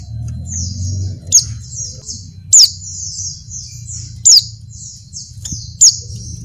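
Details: Oriental white-eye female in breeding condition calling for a male: rapid runs of thin, high descending twitters punctuated by four strident downward-sliding notes, irregularly spaced, over a low droning hum.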